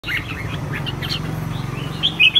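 Red-whiskered bulbul giving a quick run of bright, warbling chirps and slurred whistles, over a steady low hum.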